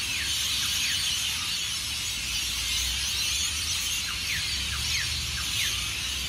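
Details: Before sunrise at Burleigh Heads Beach, South East Queensland, hundreds of rainbow lorikeets roar from their Norfolk Pine roosts around take-off, a dense high-pitched screeching mass punctuated by quick descending squeals.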